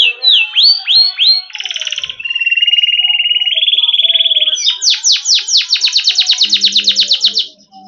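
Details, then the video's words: Yellow canary singing a varied phrase: a few sharp downward-sweeping notes, then a long buzzy steady trill, then a fast run of bright rising-and-falling notes, about four per second. "Canary Bird Song"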